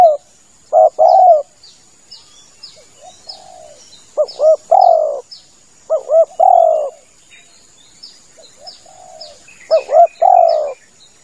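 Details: Lure recording of a male spotted dove used by hunters: irregular series of double-humped short coos and long rolling coos, with softer distant coos between phrases and light high-pitched bird chirping throughout.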